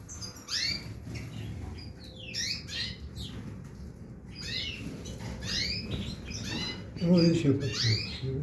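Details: Canary song of repeated sharp downward-sweeping notes in quick clusters, with short gaps between them, over a constant low rumbling background.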